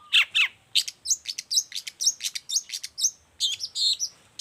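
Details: A long-tailed shrike, whose song tutors and provokes other shrikes, delivers a fast, busy stream of sharp chirps, high squeaks and buzzy notes with barely a pause.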